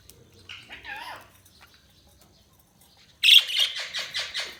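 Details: Budgies chirping: a soft, wavering warble first, a brief pause, then a loud outburst of rapid, rasping chirps repeated about five times a second, fading toward the close.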